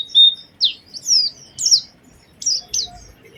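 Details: Lure song of an Oriental white-eye in an actively singing, special melodic style: a short held high whistle, then spaced, sharply slurred high notes in pairs, each falling or rising quickly, with quiet gaps between.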